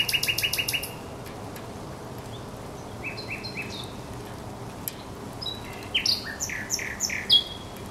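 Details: On 24 April 2022 at the Żerański Canal a thrush nightingale repeats a ringing note about six times in quick succession, gives a quieter varied passage, then a busy closing flurry of sharp whistled and chattering notes.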